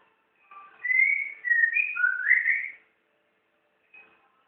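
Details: First-day song of a caged white-rumped shama, or murai batu, in Jakarta, Indonesia: a soft lower note leads into a loud run of rich whistled, rising and falling notes, then a faint short note after a pause.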